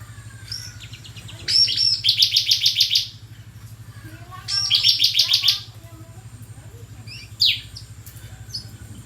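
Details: Bar-winged prinia singing vigorously. Two bursts of rapid, high, scratchy repeated notes, each about a second long, come three seconds apart, with a few thin chirps between and a steady low hum throughout.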